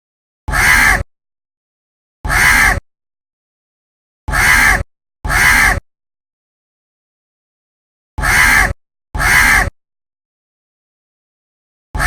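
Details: Crow calling from a tree with short, harsh caws, given singly or in quick pairs at irregular gaps of one to three seconds, loud and rasping against silence.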